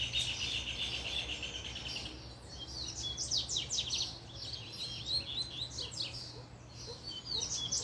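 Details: Double-collared seedeater going wild once a female showed up: a sustained high tone, then a fast, jumbled run of sharp sweeping notes and twitters that carries on almost without a break.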